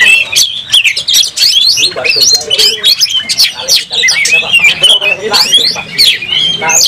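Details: Oriental magpie-robin singing in a fighting display with its tail opened: crowded bursts of harsh chips, upslurred whistles and scratchy notes, almost without pause.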